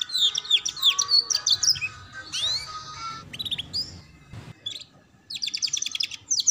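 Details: Song of a canary used to train young canaries in the ngeriwik sound, with bursts of rapid high chirps and sweeping notes broken by pauses, with a short click and faint background noise.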